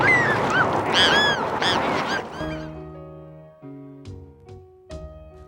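Bonaparte's Gull gives a run of harsh, nasal, rising-and-falling chattering notes for about two seconds, then soft sustained music takes over.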